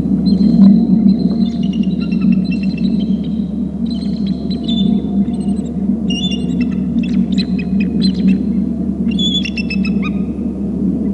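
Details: Two bald eagles flying in from the right and landing on a babysitting tree near their nest on Hornby Island, calling: high, thin chittering and piping notes in stuttering bursts, repeated throughout over a steady low electrical hum.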